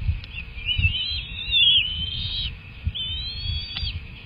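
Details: Bald eagles at a nest during a feeding session, with two young eaglets present, one hatched 31 January 2024. Thin, high, whistled chittering runs in rising and falling slurred notes, with a low rumble of background noise.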